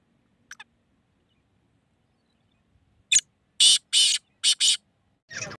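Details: Black francolin, known locally as kala teeter, of a strain the owner calls shedi nasul, in Hyderabad, Pakistan. After a faint early note and a pause, it gives several loud, harsh, grating bursts in quick succession, each under half a second.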